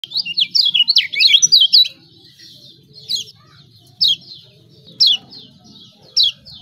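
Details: Lemon-bellied white-eye, the yellow kecial of Lombok, in an energetic ciak ciak song used as a lure for birds reluctant to sing: a fast burst of high twittering chirps, then single sharp chirps about once a second.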